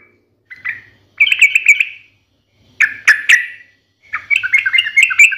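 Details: Sooty-headed bulbul delivering a sharp 'ngalas tarung' song: short chirped phrases, two loud emphatic notes, then a quick rising and falling warbled run.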